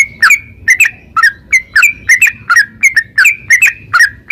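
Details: Caged yellow-vented bulbul in 'narung ropel' calling, meant to stimulate singing in other birds; clipped whistled notes in pairs, falling and rising, about two pairs each second, with a faint low rumble behind.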